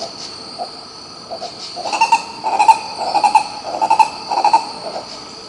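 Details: Green ibis singing in Pirenópolis, Goiás, Brazil: a few quiet notes build into a loud series of throaty, paired 'coro' hoots, roughly two per second, above a continuous insect hum.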